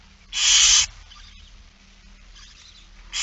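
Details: Barn owl at a feeding on 8 September 2019, 16:02: one loud, harsh half-second hiss, then quieter scratchy rustling, and the start of another rasping hiss at the end.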